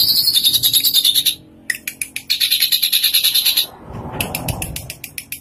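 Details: Tame, vigorously singing drongo, full of imitations, giving long harsh buzzy trills of rapid pulses broken by short gaps, then a noisy stretch and a few sharp clicks.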